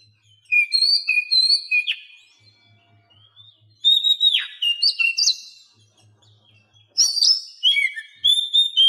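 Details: Oriental magpie-robin singing in a recording meant to make mute captive birds sing: three loud bursts of varied whistled phrases with rising, falling and sweeping notes, separated by short gaps with a faint pulsing low hum.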